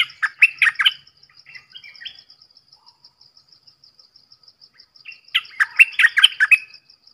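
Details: Red-whiskered bulbul singing bubbly whistled phrases, with quieter soft notes between them, then a longer burst of chirpy whistles, over a steady faint high ticking.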